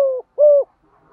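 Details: Spotted dove used as a decoy, calling to lure wild doves: two low, hollow coo notes of even pitch, the first cut off at the start, the second swelling and then fading, then quiet.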